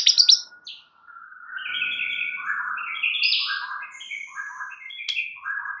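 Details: White-rumped shama song used as a lure to provoke other shamas; bright high chips open, then a varied run of slurred whistled phrases and buzzy notes that step up and down in pitch.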